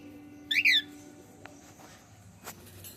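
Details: Male cockatiel giving a single bright, chirped two-part call, rising then falling, followed by faint clicks and quiet room sound.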